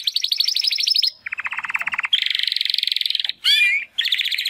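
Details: Pair of young male Timbrado canaries, brothers from the second breeding of 2020, singing first attempts after their first molt; continuous pulsed trills shifting between higher and lower pitch, a harsh squeaky note, then another trill.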